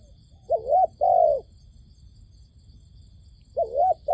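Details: A trapper's decoy dove calling while wild doves are nearby: a quick pair of soft coos, one wavering and one steady, then a pause and the wavering coo again, with a faint constant high-pitched hum behind.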